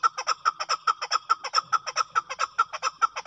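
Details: Chukar partridge, known locally as chakor, gives a steady string of clipped, ringing chuck notes, about seven every three seconds, evenly spaced against a quiet background.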